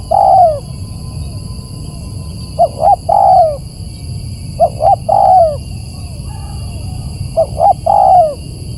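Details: Lure recording of a spotted dove: a loud slurred coo, then three phrases of two quick coos leading into a longer falling coo, about two seconds apart, slightly overdriven above a low hum.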